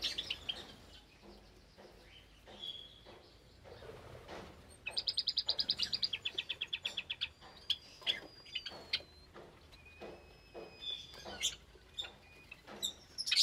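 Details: Caged Java sparrows in an aviary with newly hatched chicks, recorded Sunday morning, 8 May 2022. Scattered chirps lead into a fast, even run of clicking notes, followed by drawn-out clear whistled tones and more chirps.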